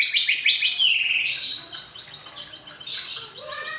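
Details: Hand-reared magpie-robin, kept since fledgling, delivers fluent isian fill-in phrases: a rapid stutter of high chirps that gives way to sweeping whistled notes and clear falling slurs near the end.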